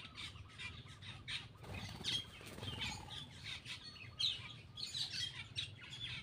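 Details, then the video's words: Black-winged myna eating and chattering in quick rasping bursts with a few thin whistled notes, a brief rustle or flutter partway through, low background rumble. "cucak Keling bar bar"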